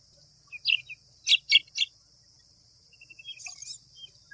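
A white wagtail gives sharp, high chips, then a quick run of three bright two-note calls, followed by softer twittering over a steady high insect-like drone.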